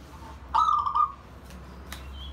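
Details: A pet zebra dove, bonding and inviting companions, gives a single soft, rolling coo, a half-second of fluttering mid-pitched notes. Two faint clicks and a low background hum follow.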